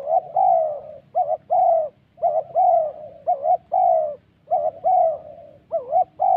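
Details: Spotted doves at a decoy trap site in the wild forest of Vietnam's Central Highlands, Gia Lai. Loud, regular cooing phrases pair a quick wobbling note with a longer falling coo, repeating roughly once a second, with a faint hum underneath.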